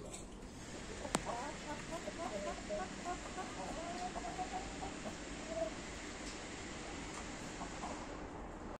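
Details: Light and Blue Colombian Brahma hens and roosters cluck and murmur in short, mid-pitched notes scattered through the clip, over a steady hiss of background noise and a sharp click early on.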